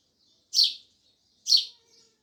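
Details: Two strong, high chirps from sparrows, evenly spaced close to a second apart, followed by a faint short note.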